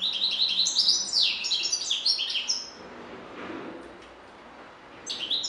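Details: European goldfinch pouring out a quick jumble of high twittering and downslurred notes for about two and a half seconds, then a pause and a fresh burst.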